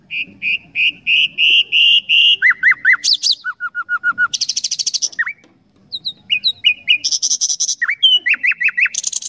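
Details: Common nightingale singing a rich, varied sequence: rising repeated notes, a falling triple phrase, a rapid low chatter, buzzy high trills, and sharp, downslurred whistles in quick succession.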